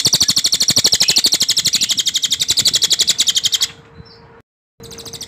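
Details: Cililin singing as a shama training recording, with a tight, loud, clear rolling delivery. A rapid high trill of regular pulses fades out after about three and a half seconds, then returns briefly after a pause.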